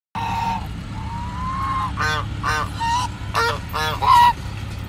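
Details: Real geese calling: a couple of drawn-out nasal tones, then a series of short, harsh, brassy honks in quick bursts, with a steady low rumble in the background.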